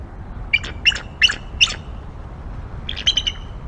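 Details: Pair of wild bald eagles vocalizing on the Y-branch of their nest tree at Decorah, around 10:45 am on 01-11-2022, filmed by nest camera: two bursts of high, thin piping notes, four quick ones then a shorter run after a pause.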